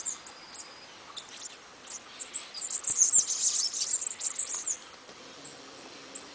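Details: Bananaquit singing a short, fast jumble of sibilant, wheezy high-pitched notes. The burst swells in the middle and trails off into scattered chips.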